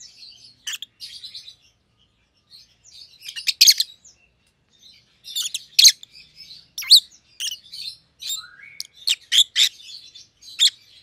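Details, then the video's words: Two caged rosy-faced lovebirds, a white-headed pallid opaline and a white-headed green opaline, give sharp high chirps and short squeaky calls in scattered bursts, with quiet gaps between groups of notes. "Rosy-Faced Lovebirds - Chirping and Call Sounds"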